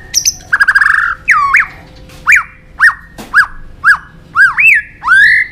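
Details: White-rumped shama fighting song for voice training: a quick trill, then rich rising and falling whistles repeated roughly every half second, each note clear and separate.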